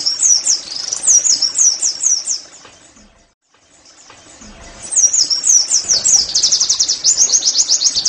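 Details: Oriental white-eye (pleci) singing, meant to spur caged birds into full song: high-pitched chattering runs of slurred notes, a brief pause, then a fast series of sharp repeated chips building into a rapid trill.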